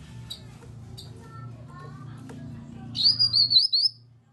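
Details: Grey-cheeked bulbul 'nyaut' lure call for prompting silent birds to sing along: soft ticks over low background hum, then a strong, high, undulating whistled phrase of about four swoops lasting nearly a second.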